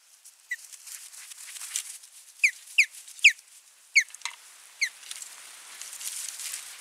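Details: Osprey calling at its nest on 28 July 2021: a run of about six clear, downward-slurred whistled chirps in quick irregular succession, with soft rustling and a faint hiss behind.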